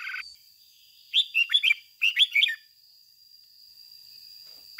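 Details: Red-whiskered bulbul decoy bird singing in the excited 'ché căng' style, used to spur other bulbuls to sing: two quick bursts of bright, warbling, chirpy notes about a second apart, over a steady thin high-pitched whine.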